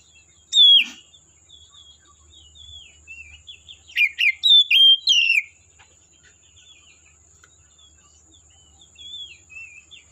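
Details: Oriental magpie-robin singing in the forest: a few loud, sliding whistled phrases near the start and a burst of rapid varied notes around the middle, separated by quieter twittering, over a steady high thin tone.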